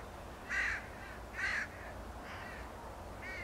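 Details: Northwestern crows on the Beluga Slough Trail behind the Alaska Islands and Oceans Visitor Center, Homer, Alaska: two loud harsh caws about a second apart, then fainter answering caws, over steady low background rumble.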